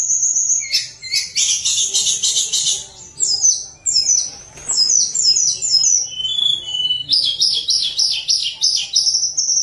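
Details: Lively fluting song of a hill blue flycatcher, used to coax idle birds into song: long continuous run of rapid high trills, whistled slurs and repeated bright notes, loud throughout.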